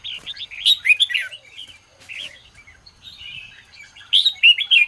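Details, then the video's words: Morning song of a red-whiskered bulbul: a rapid run of lively chirped and whistled notes, a quieter warbled middle section, then a loud burst of sharp, bouncing whistles. "chào mào hót sáng QUÁ HAY"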